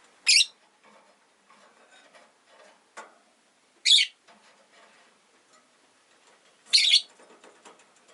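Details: Rosy-faced lovebirds, a household flock of five caged near a window, give three piercing shrill calls roughly three seconds apart, with soft scattered chatter and faint city sounds between.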